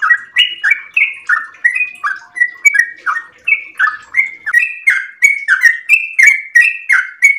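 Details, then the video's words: Yellow-vented bulbul, a house-kept bird, singing actively at dawn in a long rapid-fire ropel style used to stimulate and tutor other birds: continuous bubbly, chirping phrases of short slurred notes, about three per second, without other sounds. "trucukan gacor ropel panjang subuh pagi hari"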